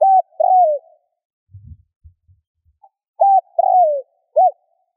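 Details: Spotted dove cooing, intended to encourage other doves to coo: a phrase ends in a long falling coo, faint low knocks fill the pause, then a new phrase of flat hoot, descending coo and short arched note.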